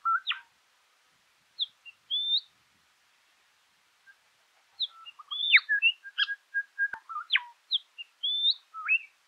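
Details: Southern Scrub-Robin in scrub at Meningie East, South Australia, 1 August 2021: scattered clear whistled notes, some rising and some falling, in short phrases with pauses, mixed with other birds' chirps.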